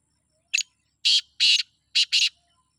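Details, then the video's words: Loud, close call of a Sindhi black francolin: brief first note, then paired long grating syllables and a final quick pair of buzzy rasps over a quiet background. "سندھی کالے تیتر کی آواز"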